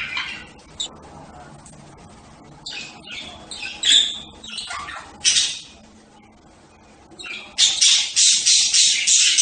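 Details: Budgerigar producing scattered sharp squawks over a quiet stretch, then a closing run of rapid, evenly spaced harsh chirps.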